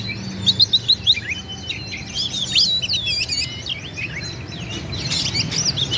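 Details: Oriental magpie-robin song used as a challenge to rival males: varied overlapping whistles, slurred sweeps and chattering trills, loudest early on, then a steadier busy stream of high notes over a low hum.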